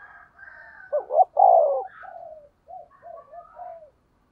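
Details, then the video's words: Spotted dove kept as a decoy, 'thổ' voice, giving one 'thúc gù' phrase: a fluttering double note and a long loud falling coo, then several soft short coos. "cu gáy giọng thổ THÚC GÙ bài bản"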